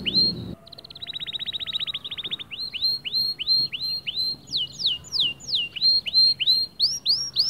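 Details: Singing white male canary, song aimed at motivating other birds: a brief low noise, then a fast even trill, followed by a measured series of arched whistled notes about three per second.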